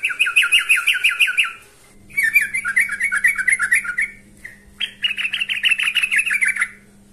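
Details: Yellow-vented bulbul singing actively and calling out to a rival, giving three bursts of rapid, bubbling, chattering phrases, each about two seconds long, over a faint steady hum.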